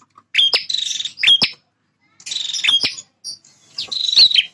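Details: Male bar-winged prinia singing to defend its territory: three grating, buzzy phrases, each starting or ending with sharp clicks, separated by pauses of under a second.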